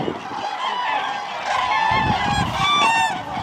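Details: Common cranes at Lake Hornborga, a flock calling together, with overlapping loud, rolling trumpet-like notes that swell and fade continuously.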